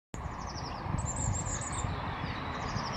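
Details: A Firecrest (Regulus ignicapillus), singing and hovering, gives a run of very high, thin, rapidly repeated notes rising into a short flourish, over a loud steady rumble of traffic; recorded 26 February 2019.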